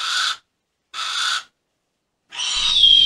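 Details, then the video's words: Harris's hawk giving harsh, raspy squawks, two short broad bursts then a longer third call with a thin whistled tone over it and faint low rumble. "Harris Hawk Noises"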